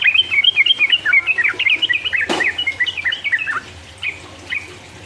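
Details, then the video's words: Sooty-headed bulbul gacor 'ropel uplik uplik' song meant to provoke rivals. Rapid liquid whistles tumble up and down in a busy run, broken by one sharp click, then thin out into a few slower notes. "trucuk gacor ropel uplik uplik merangsang lawan"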